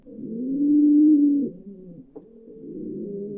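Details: Pigeon cooing: one soft, low, drawn-out hollow coo swelling and fading over about a second and a half, followed by quieter murmuring coos and a faint click.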